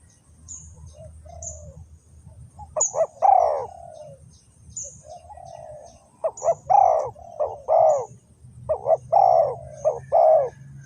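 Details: Dove calling as a lure to draw wild doves into a trap: bursts of low hooting coos in clusters around two and six to ten seconds, with faint high chirps of other birds and a low rumbling hum beneath.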